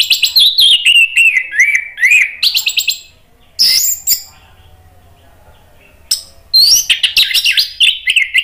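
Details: Orange-headed thrush (Geokichla citrina), song: provoking rival birds into answering.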